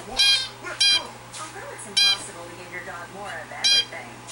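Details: A grown, hand-tame male zebra finch gives loud, nasal, buzzy harmonic notes spaced irregularly over quiet speech; his song is likened to a vacuum cleaner sucking up seeds, and he won't sing it fully.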